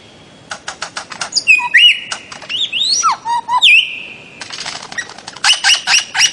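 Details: Bird-of-paradise song: a quick train of dry ticking notes, then a varied run of whistles that swoop, hold level and slide down, followed by another ticking series topped with high pure whistles.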